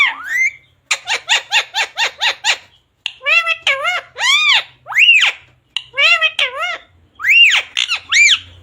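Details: Pet parrot talking in a small room: a rapid run of about nine even clipped syllables, then longer arched, word-like phrases rising and falling, imitating "radhe radhe" and "mummy papa".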